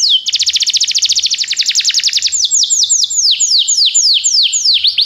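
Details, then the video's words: Singing Belgian canary, offered to encourage other canaries to sing: a fast, dense trill of repeated sweeping notes for two seconds that slows into a sequence of loud, clear downward-curving whistles, each roughly a quarter second apart. "canário especial para seduzir todos os canários - canário belga cantando"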